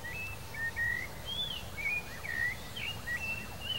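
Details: A wild male blue dacnis delivers a loose string of short, thin, high chips and slurred whistles, several each second, over low background rumble.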